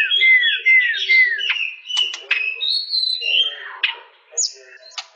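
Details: White-rumped shama opening with three sweet downslurred whistles, then sharp clicks, a sustained high whistle and rising flourishes, the phrases growing quieter toward the end.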